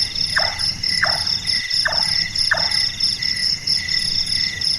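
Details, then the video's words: Four evenly spaced hollow chonks, about three-quarters of a second apart, from a large-tailed nightjar, a night-active bird whose call sounds like carpentry, with shrill insects ringing throughout. "Burung Tukang,Burung Tukang Kubur,Burung Malas"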